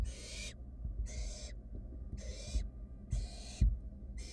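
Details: Barn owl nestlings, wild and filmed in a nest box for research, search for food; five harsh, wheezy hissing screeches roughly one per second, with shuffling knocks and a low hum.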